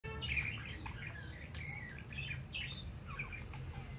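A budgerigar chatters in a quick jumble of squeaky chirps, clicks and scratchy warbles over a low hum.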